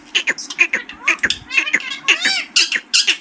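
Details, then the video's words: Green parrot talking, a rapid string of short harmonic syllables and chirps, some with rising and falling sweeps, in bursts about twice a second, with a steady low hum behind. "Talking parrot# green parrots# bolane wala tota#"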